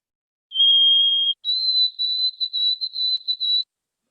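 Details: White-throated sparrow (Zonotrichia albicollis) song: a clear, pure whistle, one long steady note, then a step up to a higher note broken into quick repeated pieces; no other sounds.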